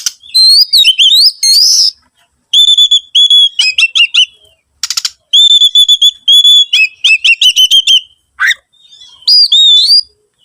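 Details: Oriental magpie-robin singing a varied song meant to prompt other birds to sing: long, pure, steady whistles, warbled trills, and rising slurs, with an occasional harsh crackling note between phrases.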